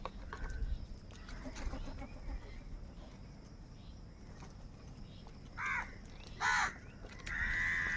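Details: Crows squabbling over food: after several seconds of low rumbling background noise, three harsh, arched caws break out near the end, the last one drawn out and steady.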